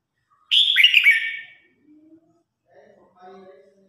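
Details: Red-whiskered bulbul in a singing contest, calling the flock: a loud, rich, warbling phrase of several quick whistled notes that dip and rise, followed by faint low murmuring sounds.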